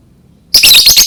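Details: Lovebird sound used to prompt other lovebirds to learn to chirp: a sudden burst of shrill, harsh, high chirps, closely run together over half a second after quiet.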